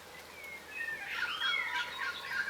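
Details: Yellow rosellas, a crimson rosella subspecies, feeding on the ground in Australia; thin whistled notes build into a burst of overlapping bright, sweeping whistles and chirps from several birds, with soft outdoor hiss.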